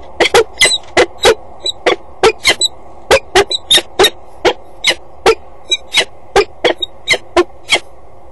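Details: Peregrine falcon pair at a nest box on a water tower grille, 10:39 on 8 April 2012; the male flies off and the female stays: harsh, grating rasping calls, two or three a second, in a steady chattering series.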